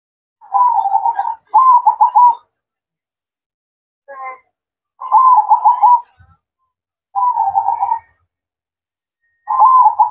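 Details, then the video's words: At night, a zebra dove repeats its manggung song in regular bursts: rippling, trilled coos about a second long, separated by short pauses, with one faint, thin call in between. "Suara Merdu Perkutut Manggung Di Malam Hari"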